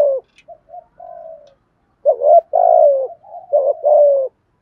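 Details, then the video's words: Spotted dove used as a decoy, cooing to stir other doves: soft short coos at first, then after a pause a loud run of deep, throaty coos ending in a falling note. "chim cu mồi thúc gù bài bản kích bổi rất xiêng gáy, tiếng cu gáy đẹp mã kêu hay, cu cườm"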